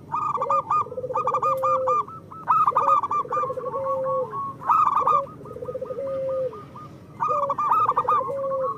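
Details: Local zebra dove song played to coax reluctant birds into singing: bursts of rapid staccato notes over soft purring coos that stretch into a level, then falling, final note, in repeated phrases.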